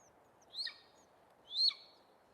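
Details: Golden Eagles recorded in southeastern Arizona's Madrean Sky Islands give two thin, high yelps about a second apart, each sharply rising then dropping, surprisingly weak for so large a raptor, over faint background hiss.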